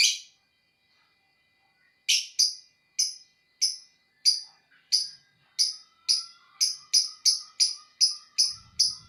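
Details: Lovebird repeating short, sharp, buzzy chirps about every half second, speeding up toward the end into a steady series; a faint low hum near the close.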